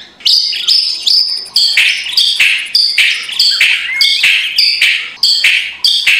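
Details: White-rumped shama morning provocation song in kretekan style: harsh, rattling bursts each topped by a high tone, repeated steadily about every half second for the whole stretch.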